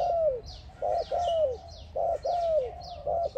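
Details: A spotted dove calls to another dove in clear, deep coos. Brief notes pair with drawn-out coos that fall at the end, repeating rhythmically. Faint high twittering from small birds continues behind.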